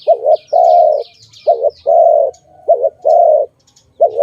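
A dove coos in low, hollow pairs, a short note then a longer drawn-out one, repeated steadily. Faint high chirps of small birds sound in the background.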